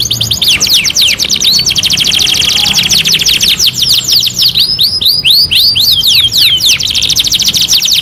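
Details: Singing canary, a master song for tutoring: dense rolling trills of quick high notes, shifting into a chattering burst and back to rapid trilling.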